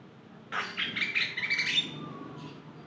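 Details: Javan myna (jalak kebo) singing briefly: one harsh, buzzy rattling phrase of about a second and a half with a thin whistle threaded through, then a soft fading note.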